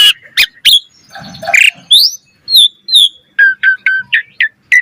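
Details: Asian pied starling singing for training other starlings, mixing sharp clicks, a scratchy buzzing passage, then a series of short whistled notes repeated at a steady pace.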